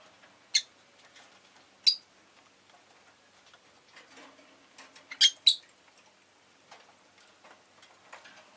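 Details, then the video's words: Rosy-faced lovebird giving a few sharp, shrill chirps, two spaced about a second apart, then a quick double chirp, over faint clicking and soft background noise. "Lovebird Chirping Sounds"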